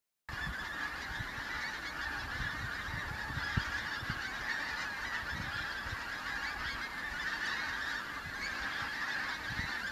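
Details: Autumn migrant pink-footed geese arriving in the Kelvin Valley, North Glasgow, on 25 September 2021; a large flock gives a steady, dense chorus of overlapping high yelping honks, with low rumbling wind thumps beneath.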